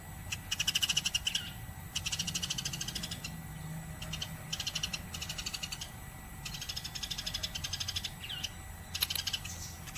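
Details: Energetic nonstop sparrow chirping meant for training other cage birds such as canaries and lovebirds; short bursts of quick, high, scratchy chips come in separate clusters with quiet gaps between them, and a low background rumble runs throughout.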